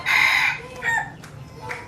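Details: Hybrid decoy red junglefowl crows briefly: a bright, strained opening note followed by two softer, fading notes, with low background hum.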